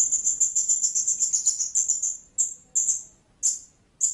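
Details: Blue-crowned hanging parrot: a rapid run of very high, thin, sibilant chirps at about four per second for two seconds, then a few separate drawn-out squeaky notes with short pauses between.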